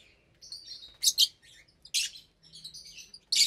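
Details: Aviary lovebirds at feeding time, a mixed flock of about 25 parblue, euwing, opaline, lutino and albino birds; drawn-out thin whistled notes alternate with sharp, harsh screeches in quick succession.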